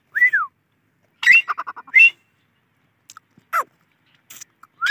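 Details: Grey francolin calling: an arched whistled note, then a quick stuttering run of shorter notes and another shrill whistle, with a sharp rising note closing the sequence; quiet gaps between.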